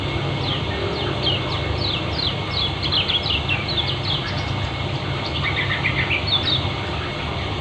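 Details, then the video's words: Lombok white-eye (kecial kuning) in dense, speedy ngeriwik twittering: long runs of high, quickly repeated slurred chirps, a brief pause mid-clip, then another burst, with continuous low background rumble throughout. "Terapi Pleci lombok kecial kuning ngeriwik speed rapat"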